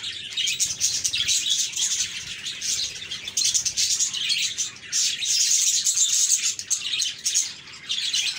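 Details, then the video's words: Group of happy budgies giving steady chirps: busy, overlapping high twitters and scratchy warbles that swell and fade in waves. "Budgies Chirping"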